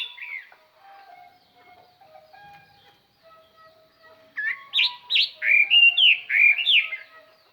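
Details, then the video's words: Caged decoy Chinese hwamei singing to lure wild birds; a clear, far-carrying song. Faint soft notes come first, then loud whistled, slurred phrases rise and fall in quick succession through the second half. "tiêng chim hoa mi mồi hót"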